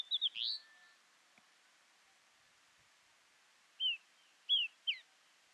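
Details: Female pied bush chat at Ooty, India, in November 2021. Short, clear whistled notes slur downward, given in quick pairs and triplets with long pauses between bursts, against a quiet background.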